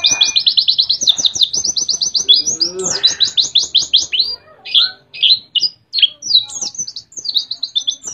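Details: White-eye from Mount Ciremai, West Java, singing a canary-like imitation: rapid runs of bright, high chirped notes repeated in quick trills, then a short pause and looser scattered phrases of sharp twittering notes.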